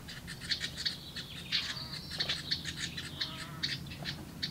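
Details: Hungry house wren hatchlings in a nest box screaming for more as a parent delivers food, a dense chatter of rasping, high chirps pulsing rapidly throughout.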